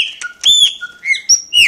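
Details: Caged pet Chopi blackbird (graúna) in Brazil singing as it recognizes its owner: loud clear whistled notes, some steady, some sliding down, with sharp clicks between, about one note every half second.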